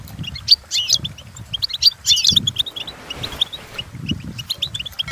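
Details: Goldfinch training song, European goldfinch twittering in quick chattering phrases and sharp chips over a background of low rumbling noise.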